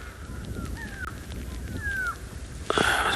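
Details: Many wild go-away birds alarm calling all around a safari vehicle near a group of young bull elephants, afternoon game drive, South Africa, 18 September 2021: drawn-out descending nasal whistles, two main notes about a second apart, then a loud broad rustle.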